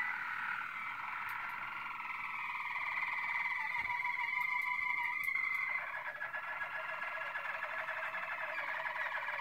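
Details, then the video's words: Malinois Waterslager canary singing a steady run of rolled, bubbling trills and held whistled notes at mid pitch, shifting to a lower, faster rattling trill partway through, with no other sounds. "Malinois Waterslager 2016"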